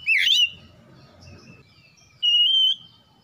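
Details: Lure song of a white-rumped shama used to get birds singing: a sharp, bright upward whistle, a quiet gap with soft background murmur, then one long steady high whistled note.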